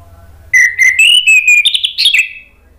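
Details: Ngeplong song of an orange-headed thrush, lively and full, used to prompt silent birds to sing: a half-second hush, then bright whistled phrases climbing in pitch into twittering trills that trail away.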